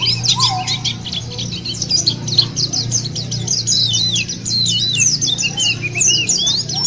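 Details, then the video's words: White-eye song used as a lure to make caged white-eyes sing: rapid, high, twittering warbles with quick rising and falling notes in a dense, continuous stream, a lower slurred whistle near the start, and a steady low hum underneath. "puter ini jangankan pleci burung lain aja pada gacor"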